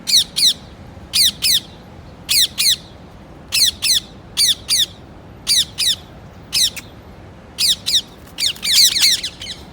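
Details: Sharp paired squawks from a parrot, repeated about once a second in a steady rhythm, ending in a denser rapid cluster of harsh notes.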